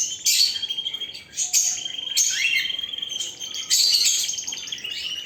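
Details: Canary delivering loud, choppy song phrases of high buzzy notes and quick trills, each burst starting abruptly, with a brief rising whistle in the middle.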